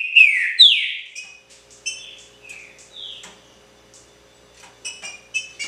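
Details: Green-winged saltator song in the style called pixarro, from a kept songbird: loud, rich whistled phrases sliding downward at the start, then softer, shorter whistled notes and brief high chirps spaced irregularly across the rest.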